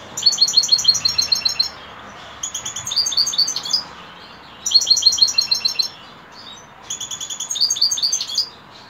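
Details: European goldfinch evening song: four rapid, chattering, bright twittering phrases, each about a second and a half, with brief pauses between them.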